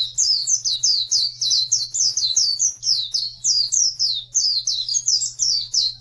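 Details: Oriental white-eye singing on a tutor recording meant for birds that stopped singing. Fast, high, sweet chirping phrases of slurred notes pour out nonstop above a faint steady hum.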